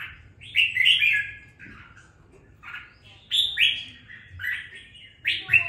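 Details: Caged red-whiskered bulbul, bought on looks alone and kept two weeks, now starting to sing with some fire: bright warbled phrases rising and falling, separated by short pauses, with faint low room hum beneath.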